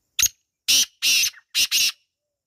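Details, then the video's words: Wild black francolin, recorded in a natural setting in Pakistan, gives five harsh, rasping bursts within two seconds: one short clipped note, then longer grating ones in pairs. No other sounds are heard behind it. "Kala Teetar Ki Awaaz | Real Wild Black Partridge Sound | Jungli Teetar Calling"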